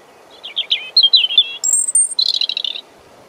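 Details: A European robin sings just 50 cm away in Deal, Kent, England, in April 2021: a jumble of quick high notes, a clear sustained very high whistle, then a rapid sparkling trill, recorded with the camera microphone.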